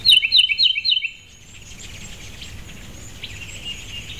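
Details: Migrating ruby-throated hummingbirds, mostly immatures, at feeders in a backyard in Starkville, Mississippi, mid-September 2012. A quick run of about four sharp, high chirps in the first second, then only faint, scattered squeaks over a soft background hiss.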